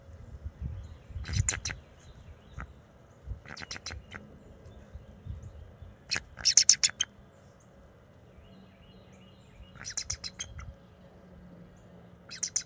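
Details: Bald eagles at the NCTC nest on November 27, 2023: a young male defends the nest and chases off a first-year juvenile. High, rapid staccato chittering comes in about five separate bursts across twelve seconds, with low rumbling between.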